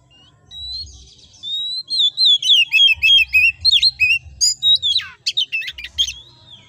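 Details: Prolific, energetic 'gacor ngobra' singing from an oriental magpie-robin, meant as a training recording for other magpie-robins: a rapid, loud run of varied whistles, swooping slurs and clipped chirps, delivered in quick bursts over a faint low rumble.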